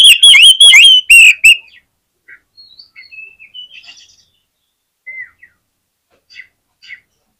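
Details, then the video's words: Oriental magpie-robin singing to provoke other magpie-robins into song: a short, loud flurry of rich whistled notes, then sparse, soft twittering phrases with long gaps. "SUARA KACER GACOR INI SANGAT AMPUH BIKIN KACER LAIN CEPAT NGEPLAY"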